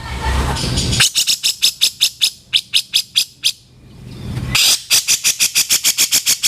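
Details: Grey-cheeked bulbul training recording of its harsh rough calls: long runs of rasping, evenly spaced pulses, about five per second, with one pause before a second loud, rapid series. Faint noise lies beneath.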